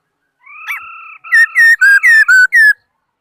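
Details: Laughingthrush singing: a long, level, steady whistle, then five loud, rich whistled notes in quick succession, each bending downward, about four per second, with no other sounds.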